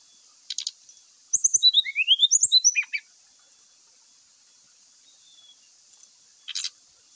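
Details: Grey-chested jungle flycatcher singing a dense cluster of quick, high descending whistles lasting about two seconds, with brief ticking notes before and after and long quiet gaps.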